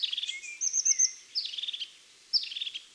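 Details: Crested tit song, a year-round resident of conifer forests and small conifer stands in parks: one to three high, thin notes ending in bubbling trills, several verses strung together with very brief pauses, giving a stressed, hurried feel.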